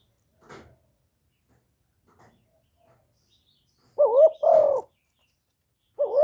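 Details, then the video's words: Spotted dove decoy bird in the 'one-ending' (1 hậu ròng) cooing style, used to provoke wild doves; after near silence with faint clicks, a few loud two-part coos with a rising then falling note arrive near the end. "TIẾNG CHIM CU GÁY 1 HẬU RÒNG BỔI CỰC GHÉT, CU GÁY KÍCH BỔI CỰC CHẤT, TIẾNG TIẾNG CHIM MỒI"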